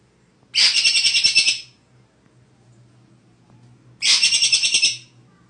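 Greater green leafbird singing two bright bursts of rapid, high chattering notes, each about a second long, three seconds apart, over a faint low hum.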